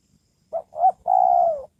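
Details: Decoy spotted dove calling to attract wild doves; one low phrase of two brief coos and a long, even, gently falling final coo.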